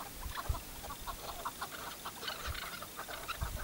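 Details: Tethered chukar partridge used as a hunting decoy, uttering a run of brief, clipped chucking notes at an uneven pace, with soft low bumps and a steady background hiss.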